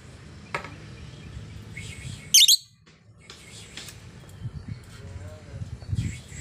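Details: Active female lovebird: one loud, shrill, doubled high chirp burst, surrounded by fainter scattered chirps and low background rumble.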